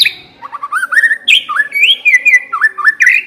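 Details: Lure song of a white-rumped shama meant to start another bird singing: a flowing run of looping, slurred whistles rising and falling, each phrase quickly following the last, steady and clear throughout.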